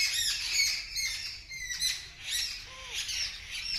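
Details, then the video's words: Birds screaming loudly in response to a kitten that sees them and makes a strange noise: harsh, overlapping high squawks and chirps in bursts roughly twice a second, with a faint lower two-part sound near the end. "The Birds Are Screaming Loudly"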